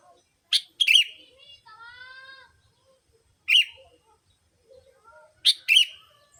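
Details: Lure sound to attract sooty-headed bulbuls: three harsh, scratchy double bursts, separated by a steady harmonic whistled note and a few soft chirps.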